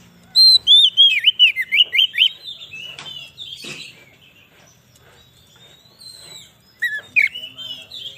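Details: Oriental magpie-robin (kacer) song played as a lure for wild birds in the forest and to rouse other magpie-robins: a rapid burst of loud, slurred whistles for about two seconds, then faint rustling, then a second whistled burst.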